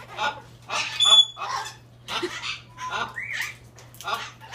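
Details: Hyacinth macaw kept at a parrot attraction in St-Placide, Quebec, giving odd, never-before-heard vocalizations: a quick series of rasping squawks, a few thin whistled tones and one short rising note, all above a constant electrical hum.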